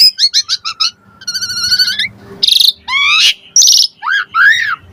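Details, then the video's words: Asian pied starling lure song with varied phrases: a quick run of stuttered chips, a long rattling buzzy trill, then loud harsh squawks and layered nasal notes followed by a bending whistled phrase. "Suara Jalak Suren Pancingan AMPUH Full Isian Variasi Agar Burung Jalak Auto NYAUT Cepat Gacor Isian"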